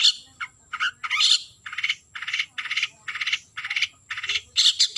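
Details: Long-tailed shrike calling a rival, a series of rasping, buzzy scolding notes repeated roughly twice per second, with sharper squeaky notes at start and end.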